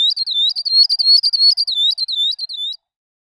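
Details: Northern grosbeak-canary (Abyssinian grosbeak-canary) from the region of Ethiopia, Kenya and Somalia: rapid series of high, bright chirps, each sliding slightly up then down, about three per second for nearly three seconds, clean background.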